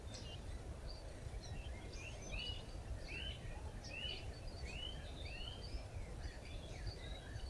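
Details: A red-backed shrike feeding its chicks: short, high chirps and slurred rising notes, several each second and partly overlapping, over a steady low rumble of wind or distant traffic.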